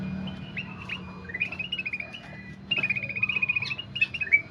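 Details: Golden-fronted leafbird singing actively; soft background at first, then a run of clear whistled notes that slur up and down, some trilled, growing louder toward the end.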